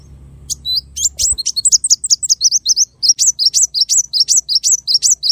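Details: Small bird delivering a long tembakan masteran run. Rapid, high, whistled squiggles repeat several times a second for over four seconds, with only a faint low hum behind.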